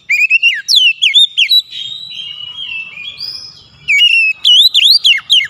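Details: Lure song of an oriental magpie-robin for a bird that will not sing: repeated loud, downward-curving whistled notes, a passage of softer sustained whistles, then another bright run of rapid swooping notes.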